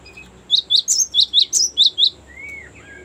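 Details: High, sharp chirps from a Cinereous tit in a long rolling song used as a lure and training recording: about eight evenly spaced notes in a second and a half, then a faint lower, slurred whistle.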